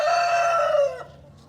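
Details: A rooster on a nature-centre farm in Minnesota crows: one loud, harsh, drawn-out note held for about a second, then sliding down and cutting off. Only a faint background hum follows.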